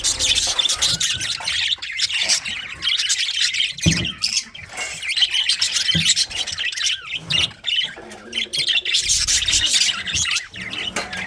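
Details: Budgerigars in a breeding colony give dense, overlapping chirps, squawks and warbling chatter that never stops, with occasional low rumbling bursts in the background.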